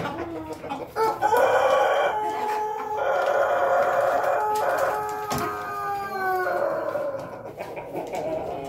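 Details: Pelung chicken giving a long drawn-out crow: a strong, steady, harmonic tone held for about five seconds, then fading. Occasional knocks and background rustle are also heard.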